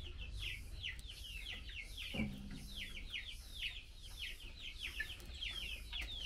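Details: Female Chinese hwamei calling the male during mealworm feeding, giving a steady stream of sharp, downward-sliding chips in loose pairs and triples, with a faint clatter and low hum behind.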